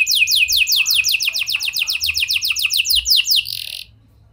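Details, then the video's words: Gacor canary with a prenjak and lovebird style of song, used to coax silent canaries: a steady run of sharp, high downward-sliding chirps about five per second, ending in a brief buzz, then quiet. "Pancingan Kenari Gacor Cengkok Prenjak Lovebird! Ampuh Buat Memancing Kenari Macet Agar Gacor"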